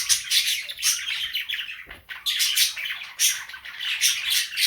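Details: Female pet cockatiel singing indoors in the morning while budgies join in, making a dense, continuous chatter of high chirps, warbles and squeaky twitters with no pauses.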